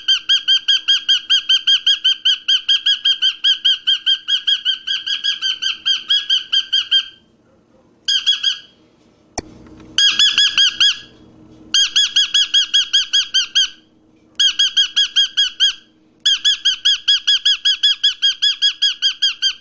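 A cockatiel gives rapid, shrill, repeated screeching calls, several each second, in long bursts.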